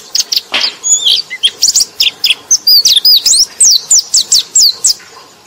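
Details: White-eye song used to lure and prompt sluggish white-eyes to sing: a fast run of thin, high chirps and short swooping whistles, about three per second. A brief lower rasping note comes near the start.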